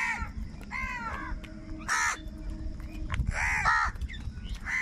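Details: Angry crows competing for food utter rough, grating caws in irregular bursts, some short and doubled, some longer, against a low background rumble.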